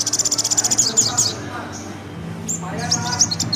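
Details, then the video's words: Sunbird (kolibri ninja) singing in the rapid nerecet style: a fast, high, buzzy trill of evenly repeated notes for over a second, then scattered thin chips after a pause, with faint background murmur. "kolibri ninja nerecet"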